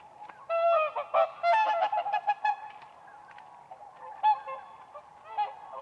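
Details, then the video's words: Whooper swans on ice at a spring lake: a cluster of loud trumpeting honks early on, then quieter scattered calls with single louder honks later. "WHOOPER SWAN birds dancing on ice"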